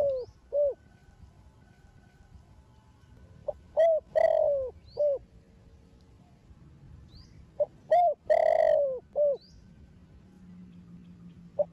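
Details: Spotted dove of the thổ đồng voice style, a young bird from a thổ sấm line, cooing to provoke other doves: two rhythmic phrases of short arched coos around a long swelling central note, with faint high chirps between.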